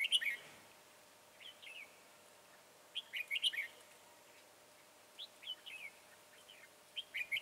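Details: Bulbul song recorded while trapping red-whiskered bulbuls with a decoy bird on 22 January 2018: loud cheerful whistled phrases returning every few seconds, each a quick tumbling series of rising and falling notes.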